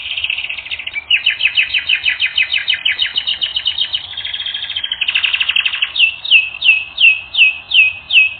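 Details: Domestic canary singing a training song: fast buzzy trills at a high pitch change into a series of bright, downslurred whistled notes, each repeated about three times a second. A faint low hum sits underneath.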